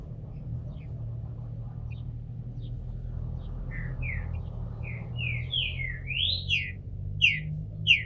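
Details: Captive Green-winged Saltator in Brazil, bald and coming out of moult, singing: soft whistled notes build after a quiet start into a run of clear downslurred and rising whistles, getting louder toward the end over a steady low hum.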